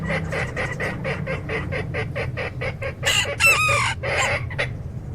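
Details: Mixed chickens in a flock, a run of evenly spaced clucks, roughly four a second, broken near the end by a loud, strained crow and a few squawks.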